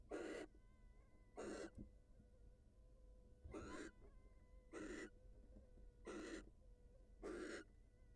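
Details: Wild barn owls, the female leaving the nest to meet her mate: six breathy, rasping hisses, each under half a second, repeated about every second and a quarter at a steady, low level.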